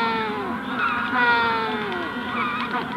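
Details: Magellanic penguins, adults at hatching stage, calling close by at a colony at Punta Tombo, with the wider colony audible in the distance; overlapping harmonic braying wails, long drawn notes with sliding pitch, voices layered densely over one another.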